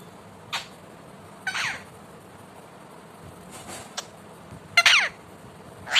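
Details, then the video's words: Indian ringneck parakeet, a talking pet bird, making scattered sharp clicks and brief scratchy squawks, the loudest a rough doubled screech near the end. "Talking cute Parrot"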